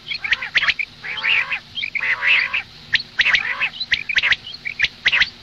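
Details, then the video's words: Female common quail heard in the morning: drawn-out nasal, buzzy squawks alternating with crisp clicks and small chirps, in a fairly steady rhythm. "Madi batair ki awaz suba ke liye مادی بٹیر کی آواز"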